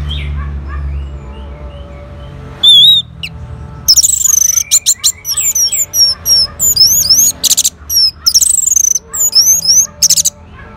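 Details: Orange-headed thrush (Geokichla citrina), in northern Bali, responding to a lure sound, sings loud, varied phrases of sharp whistles, slurred notes and rapid chattering bursts in quick succession after a brief quiet start.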